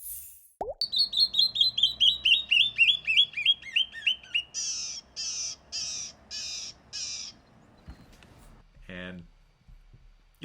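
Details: Canyon Wren, a loud-voiced bird of western canyons and rock outcroppings: a loud cascade of about fifteen clear whistles sliding steadily down the scale, ending in five harsh buzzy notes, then a brief low sound.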